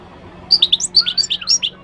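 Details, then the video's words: Moroccan goldfinch singing a short burst of high, liquid twittering notes and brief slurred whistles, evenly spaced and bright, with a faint steady low hum underneath. "تغريد الحسون المغربي chant de chardonneret marocain"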